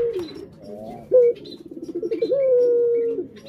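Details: Domestic collared dove: soft downward-sliding coo, a sharp clipped note, a rapid tremulous roll, then a long even coo that tapers off.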